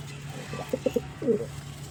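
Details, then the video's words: Pigeon giving a few short low coo pulses followed by one longer rolling coo, over a steady low hum. "Amazing Pigeon Sound 🕊️ | Relaxing Pigeon Voice & Beautiful Bird Sounds"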